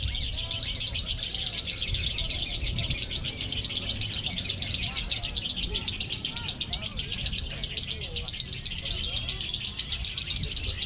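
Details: Lovebirds in a singing competition duel: a dense, unbroken stream of shrill, rapid chattering trills and chirps, steady throughout, with murmuring voices low in the background.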